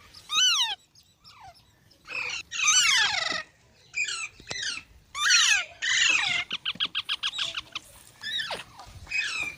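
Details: Green parrot giving a long run of varied calls: descending shrieks, buzzy squawks and a quick rattling series of short clicks, with brief silences between bursts.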